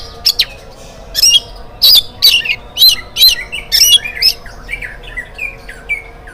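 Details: Oriental magpie-robin singing in the morning as a lure for other birds: sharp clear whistled phrases repeated about once a second, fading into softer slurred notes, with faint background hum.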